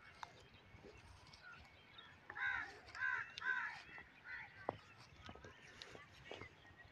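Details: Crane (koonj) calling, used as a decoy for hunting cranes: three loud, ringing, harmonic calls in quick succession mid-clip, with faint outdoor background and brief clicks and knocks.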